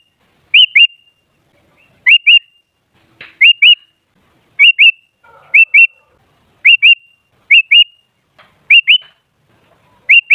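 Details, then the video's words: Sooty-headed bulbul played as a lure to get other bulbuls singing. Short rising whistled notes come in close pairs, each pair repeated roughly once a second against a quiet background. "Suara Burung Kutilang Ampuh Buat Pancingan Jadikan Kutilang Ribut Gacor"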